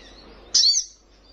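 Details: Young spiderhunter singing keenly to provoke rivals: a single loud, sharp, high, slightly slurred note.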